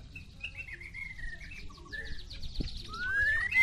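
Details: White-rumped shama, Medan short-tailed versus 'balak 6' pairing, giving soft warbled phrases over a quiet hiss, ending in a clear rising whistle.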